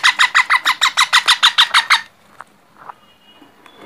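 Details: Young parrot giving a fast series of about eleven scratchy, rasping squawks in quick even rhythm for two seconds, then near silence with a few faint distant sounds.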